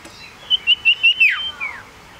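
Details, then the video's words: A tame, lively male common iora gives five quick whistled notes in a row, then a longer sliding slur dropping away. "Suara Sirtu Jantan !! Burung Sirtu Cipoh Sirdung Sirdum Jantan Terbaru"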